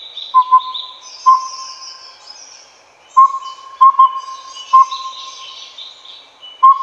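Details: Collared owlet (Glaucidium brodiei pardalotum), Taiwan, a mainly nocturnal owl also active by day, giving soft, mellow whistled hoots on one steady pitch in a rhythmic four-note pattern, with a faint high chorus of birds or insects behind.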